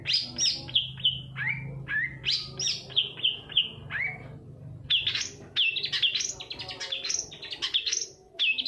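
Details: Shrike lure song intended to set lazy long-tailed shrikes singing. Varied whistles, falling slurred notes and rapid scratchy trills follow each other almost without break, with a low background rumble.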